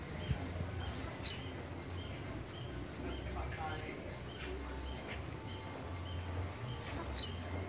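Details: Blue-black grassquit (Volatinia jacarina) singing: two short, harsh, buzzy high-pitched bursts, each sliding downward at the end, spaced about six seconds apart, with a quiet background hum between them.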